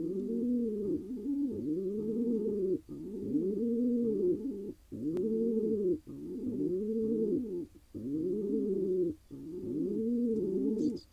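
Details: A wild pigeon male in Israel, newly paired with a female, coos steadily: a chain of low, rounded, arching notes repeated about every second and a half, with one sharp click midway.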